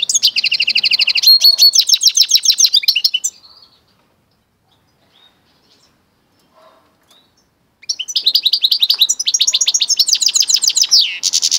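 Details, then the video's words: Goldfinch × canary mule in full song: a three-second burst of fast, bright twittering trills and rattling repeated notes, a pause of about four seconds, then another rich run of rapid chattering phrases ending in a high sweep. "Goldfinch x canary mule καρδερινοκαναρο"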